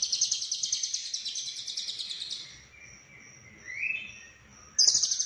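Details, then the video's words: Konslet lovebird song with full fill-ins from Cililin; a long stretch of fast rhythmic buzzy trilling fades into a faint steady tone and a short rising note before the chatter bursts back. "Lovebird Konslet Full Isian CIlilin"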